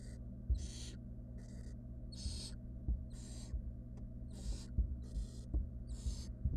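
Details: Wild barn owl chicks inside a nest box during a feeding, the female arriving with a rodent. About nine breathy, hissing screech bursts follow one another, with light tapping and shuffling underneath.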